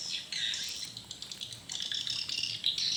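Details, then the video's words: High, buzzy twittering from swiftlets responding at a mini swiftlet house in the evening, coming in short dense bursts with brief quieter gaps. "Burung walet respon di Rbw mini"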